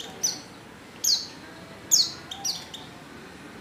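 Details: White-eye female in heat calling for a mate: bright, piercing chirps that drop quickly in pitch, spaced roughly one second apart, with quiet between each call.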